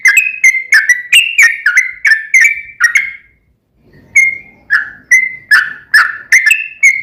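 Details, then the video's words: Sooty-headed bulbul, lure recording for a caged bird: rapid series of clear whistled notes, a brief silence after three seconds, then more whistles with a faint low rumble beneath. "KICAU SUARA trucukan gacor ROPEL PANJANG pancingan trucukan agar bunyi MENJADIKAN trucuk gacor NYAUT"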